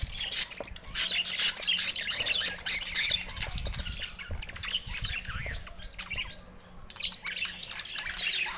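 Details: Budgerigars in steady, dense chattering: overlapping high squeaky chirps and warbles, fast and irregular, with a louder busy stretch in the first three seconds, then a few brief quieter gaps.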